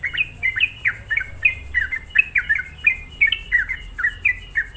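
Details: Sooty-headed bulbul singing as a lure to rile other bulbuls, giving evenly spaced, fluty falling notes in a steady run over a low background hum.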